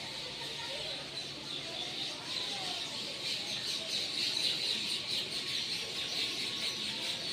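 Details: Birds chirping near a home as they return to their nests; a dense, continuous chorus of high, rapid chirps and twitters with no single voice standing out.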